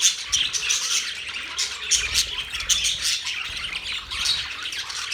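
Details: Crowded birdsong from October 3, 2023: steady chattering with repeated sharp squawks and twittering bursts roughly every half second, many birds calling over one another.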